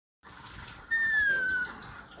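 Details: Pet cockatoo whining: a single drawn-out whistled note that slides slowly downward over under a second, with room noise and a person then speaking.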